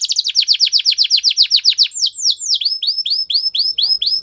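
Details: Gloster canary singing, used for song training: a fast run of bright, downward-sweeping high notes, about four per second, then a switch to slower, higher upswept whistled notes repeated evenly. No other sounds.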